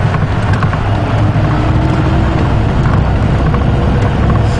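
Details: Steady low engine rumble from a vehicle on a sunset safari drive, with no animal calls.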